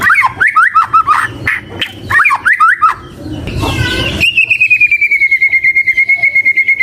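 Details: White-rumped shama in full song: quick looping whistled notes for three seconds, a noisy burst, then a long rapid trill held on one high pitch, pulsing steadily.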